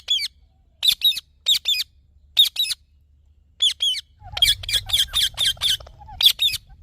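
A green parrot gives harsh, high squawks, first in spaced pairs, then in a quick run of about ten rasping calls over a low background hum.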